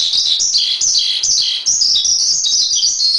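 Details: Javan pied starling song, a masteran recording for training songbirds: dense high chirping and twittering with short falling slurs, nearly continuous, with a brief dip near the middle.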